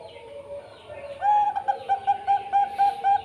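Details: Zebra dove of the Bangkok perkutut line: after quiet low murmuring, a bright series of short, evenly spaced hooked coos starts and repeats roughly three times a second until the end.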